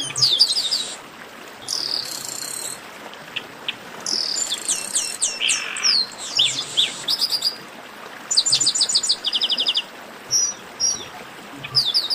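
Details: Long stretch of Chestnut-capped blackbird baderna for getting singing birds going. Overlapping groups sing harsh buzzes, clipped high notes and rattling trills in repeated bursts, with short lulls between them.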